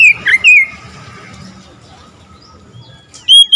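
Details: Oriental magpie-robin responding to another magpie-robin, opening with a brief twisting whistle and a falling slur, then a quiet stretch of low hum before a loud clear whistle starts at the end.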